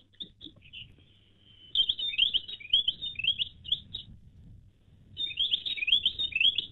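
Weebill giving bright, high, rapid twittering phrases in two bursts, the notes quick and slurred, with faint low background noise.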